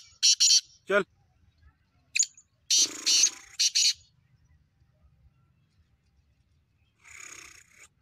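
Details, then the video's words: Black francolin being prepared for its season, calling in loud, harsh, grating notes: two quick bursts, a pause, then a longer rasping run of three notes, and a faint scratchy note at the close. "Black francolin voice"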